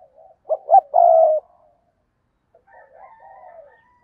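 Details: Spotted dove kept as a decoy for luring wild doves gives one cooing phrase, two quick hollow notes then a held coo. A softer, wavering faint call follows after a pause.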